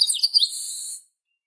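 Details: Chestnut-capped blackbird, known in Brazil as garibaldi, papa-arroz, xexeu-de-lagoa or rinchão, singing: a few quick high chirps sliding downward, then a long, even, buzzy note held for about half a second before stopping abruptly.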